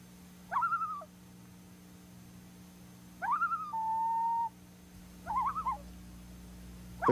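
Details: Common loon, a bird of the northern wilderness from New England to the Great Lakes, gives wavering, mournful calls in three bouts: rising quavering notes that break into a long steady whistled tone, with faint background hum.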